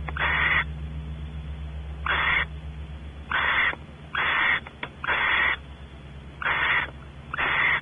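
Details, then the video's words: Barn owls in a nest cavity at Audubon Starr Ranch, California, while the male explores and the female expects mating. Seven short, breathy rasps come at uneven intervals, some closely paired, over a faint steady hum. "Male goes exploring in cavity, female expects mating - Audubon Starr Ranch Barn Owls"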